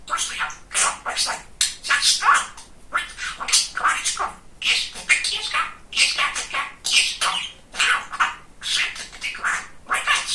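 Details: Talking male budgerigar, described as very chatty and funny, producing a continuous run of rapid, scratchy chattering bursts and warbled phrases separated by brief gaps of about half a second.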